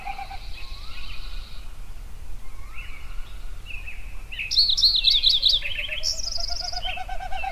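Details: Sunrise songbird chorus in Yellowstone: soft scattered chirps, then a loud fast sequence of sharp high notes and a buzzy trill, with quieter birds behind and a low steady rumble.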